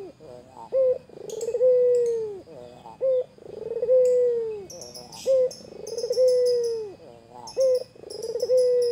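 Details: White Barbary dove calling to tease a rival: repeated phrases about every two seconds, each a short pulsed lead-in followed by a long, level low coo, with occasional high chirps from other birds.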